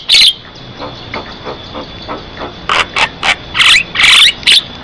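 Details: Asian pied starling, known locally as jalak kebo, in full song, offered as a lure to prompt other starlings to sing and as a tutor recording; harsh, broadband bursts and short noisy notes in a clustered series, with a steady high whine throughout.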